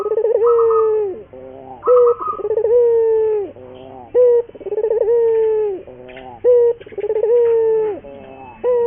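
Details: Lure song of a local puter dove for training other doves: steady low coos with quavering starts and long falling tails, alternating with short abrupt coos about every two seconds, and faint higher chatter in places.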